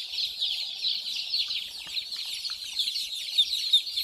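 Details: Baby chicks chirping as they play and drink water, a thick wash of shrill, overlapping peeps with a few sharper notes rising above it near the end.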